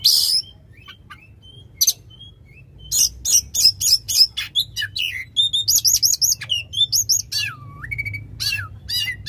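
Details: Oriental magpie-robin in loud, long-burst song used to prompt a silent bird to sing: varied sharp whistles, buzzy notes and rapid chirps, with looping upslurred phrases and a drawn-out low whistle near the end, short pauses between bursts.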